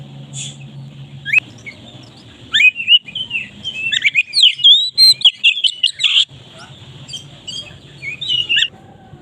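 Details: Oriental magpie-robin singing loudly and openly, used as a lure to get other magpie-robins singing: a fast jumble of high whistles, slurred upsweeps and short chirps, with a low hum underneath.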